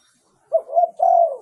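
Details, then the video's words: Zebra dove lure song used to decoy wild birds, a soft short note followed by two mellow, sustained cooing notes in one smooth phrase, quiet background. "เสียงต่อนกเขาใหญ่ เสียงชัด"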